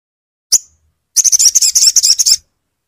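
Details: Crimson sunbird recording meant to prompt a bird that has stopped singing. A single high chip comes first, then a fast, even trill of about twenty sharp, high notes lasting over a second.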